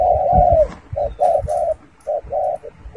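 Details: Spotted dove heard close, cooing: a long mellow hooting note opens, then short soft coos follow in uneven groups of two and three, with faint low thumps underneath.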